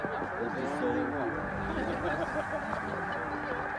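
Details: Huge flock of snow geese at a spring migration staging area, Middle Creek Wildlife Management Area, 2022: a dense, continuous roar of overlapping nasal honks and yelps, with individual rising and falling barks standing out from the steady din.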